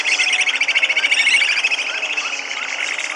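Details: Purus jacamar singing a fast, steady stream of high, pulsing chirps, about three to four notes a second, layered and chorus-like, with brief upward-slurred notes appearing in the later part.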